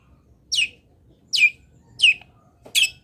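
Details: Long-tailed shrike (local cendet), Pati, Indonesia, giving fill-in song for a master recording. Four high notes slide sharply downward, roughly one every 0.7 seconds; the last note is harsher and more grating.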